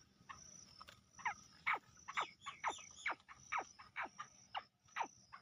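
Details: Black francolin sound used to call birds in quickly and excite them: a rapid run of harsh, downward-sweeping notes, about two a second, some overlapping as if several birds answer.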